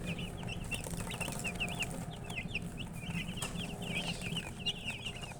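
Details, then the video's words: Chicken chicks in a group, a dense stream of high, short peeps, each a quick rising-and-falling chirp, overlapping constantly over a low rumble of background noise. "MURGI Baby "Chicks Chirping" Sound"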